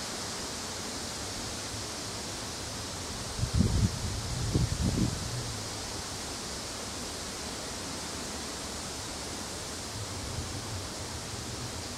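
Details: Steady broadband rushing noise, like wind or distant water, with a few brief low thumps and rustles partway through and no animal voice.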